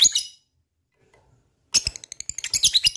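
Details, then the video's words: Lovebird sounds intended to trigger other lovebirds' singing: a short shrill squeak, a pause, then a quick run of high, scratchy chattering notes. "Auto EMOSI Lovebird mana yang gak bakal nyaut bila mendengarkan ini,gacor rajin ngekek panjang"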